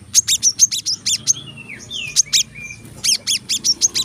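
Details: Masteran recording of a brown-throated sunbird in tight 'tembakan rapat' song: quick runs of piercing high chirps broken by lower, drawn-out downslurred whistles, then more rapid chirping, all over a faint hum.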